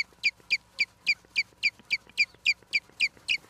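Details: Osprey calling at its nest in Charlo, Montana, live cam recording from 11 September 2023, afternoon: a steady series of twelve clear, sharp, slightly downslurred whistled chirps, about four per second.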